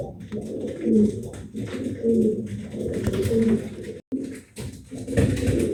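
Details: Pet pigeons cooing in a small room while mating and nesting: repeated deep, rolling coos in overlapping phrases, a brief silence, then more coos.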